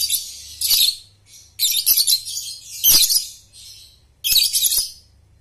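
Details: Lovebird ngekek song used to train young birds: four loud harsh, buzzy high chattering bursts, each about half a second to a second long, separated by short pauses, with softer chatter between and a faint low hum.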